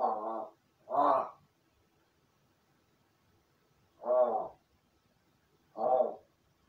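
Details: Pet crow kept in a crow room, recorded by a camera outside the room, practising its calls after playing alone: four hoarse, nasal caws, the first two close together, then a pause and two more spaced apart.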